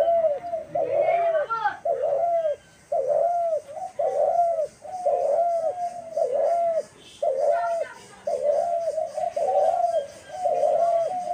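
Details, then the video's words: Dove recorded on March 28, 2024, cooing steadily and continuously. A long series of arched, mid-pitched notes repeats about once per second, each ending in a brief downward hook. "সেই মাইর ডাক ঘুঘুর ডাক"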